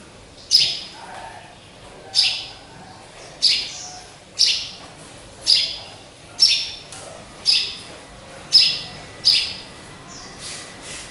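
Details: A caged pet sparrow, bought after it was trapped with glue, gives short, bright chirps about one per second with uneven gaps in a quiet room. It sings a lot when hung up high.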